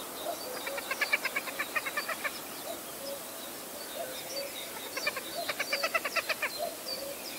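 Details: Hen harrier calling in two rapid chattering bursts of clipped, rattling notes, each burst about a second and a half long with a pause between, set against continuous chirping and soft cooing from other birds.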